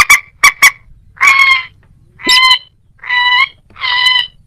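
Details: Moorhen, possibly alongside a little crake: three quick clipped clucks, then four drawn-out, nasal, honking notes about a second apart, each with a strongly banded tone.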